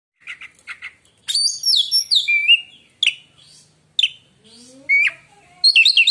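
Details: Oriental magpie-robin (kacer) song: soft chirps, then loud sweeping whistles sliding down, short sharp notes and a rising buzzy phrase, ending in high twittering bursts; a quiet background.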